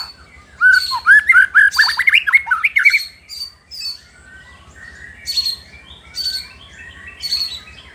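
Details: Rich, fast-slurred whistling from a White-rumped shama singing to rile rival shamas, followed by softer, high chirping notes at a steady pace.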